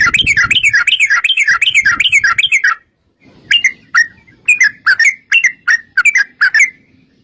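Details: Yellow-vented bulbul ('trucukan gacor') lure song of the long 'ropel' type. A fast bubbly warbled run is followed by a short gap, then spaced sharp chirps roughly two per second.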